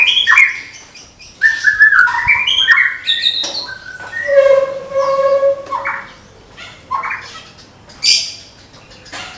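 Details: Caged Medan white-rumped shama giving its 'tembakan' (burst) song, said to be ready for contest hanging: clear whistled phrases stepping down in pitch, a long low steady whistle, then harsh buzzy high bursts between pauses.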